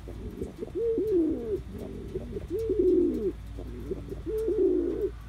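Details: A young male Cuban Pouter pigeon's dance display with repeated bubbling coos, about three rising-and-falling phrases in quick succession, rich and throaty, with faint room noise.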